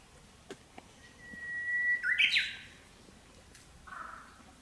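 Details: Japanese bush warbler singing in spring in the Japanese countryside during the breeding season: a long, steady whistled note, then a quick flourished ending, and a softer note after a pause over background hiss.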